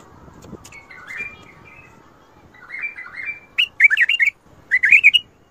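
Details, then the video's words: Bulbul song of the Mandali and Badra styles: soft, rambling warbles build into two loud, rapid bursts of clear, bouncing whistled notes near the end. "تغريد ارقى اطوار مندلي وبدره شدة ورد .وفجرلي. ورد تبرلي"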